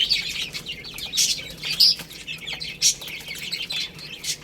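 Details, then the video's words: A crowd of young chicks peep constantly while pecking at rice, thin high notes overlapping into a steady twittering wash with a few stronger chirps. "Beautiful Chicks Chirping Sounds"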